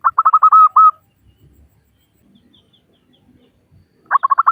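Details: Calling female zebra dove of local stock, luring males: a quick staccato run of cooing notes ending in a held note, then near silence, then another burst begins.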